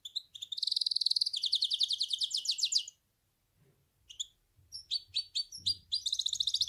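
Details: Goldfinch hybrid song opening with a long, fast metallic trill lasting nearly three seconds, a short pause, then quick chirps and a resumed rapid twitter. Faint low rumbles sit in the background.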